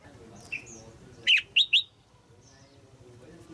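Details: Caged female red-whiskered bulbul singing to stimulate a grown male: a quick run of three loud, rising-and-falling whistled notes, with faint high chirps before and after.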